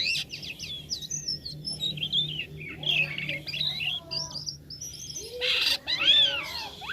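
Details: Black-winged starling (jalak kapas) singing unusual sounds: high whistled slurs and chirps, a harsh noisy burst near five and a half seconds, then looping downslurred whistles, over a low humming background.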